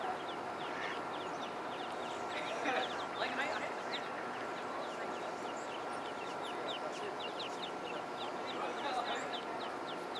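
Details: A pond full of baby ducks: quick, thin peeping notes repeat constantly from several birds, with a few louder bursts rising above the steady background hum.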